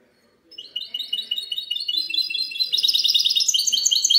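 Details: Goldfinch hybrid (mule) singing in the clean song style, 19 March 2020: after half a second of quiet, rapid high twittering notes build steadily, rising and growing louder into dense, ringing trills.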